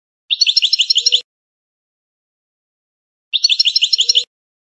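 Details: Algerian European goldfinch, song of the 'campero' style on a training tape from a breeding line, two short bright bursts of rapid tinkling twittered notes, each about a second long, three seconds apart, clean recording with silence between.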